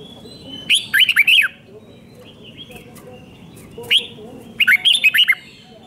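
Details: Red-whiskered bulbul, Thailand, doubled 5-syllable song played for young birds to learn. Two bright phrases of looping whistled notes, separated by one isolated sharp note, with soft warbling in the background.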